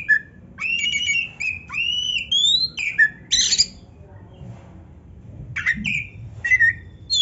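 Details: Oriental magpie-robin (kacer) in full 'gacor' song packed with varied filler phrases ('isian'), used as a training recording for young or reluctant birds: clear whistled notes sliding up and down, a harsh burst midway, phrases separated by short pauses.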